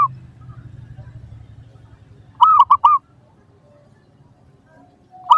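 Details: Zebra dove song played as a lure to make other doves respond: a single clear phrase of three rolling, cooing notes in quick succession, with faint low hum before it and the start of another phrase at the end.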